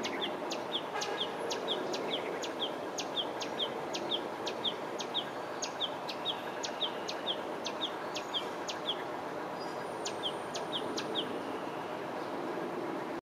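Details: Yellow-vented bulbul calling in Phnom Penh, Cambodia: sharp, high chipping notes repeated about twice a second in a long steady run, over a constant roar of city traffic.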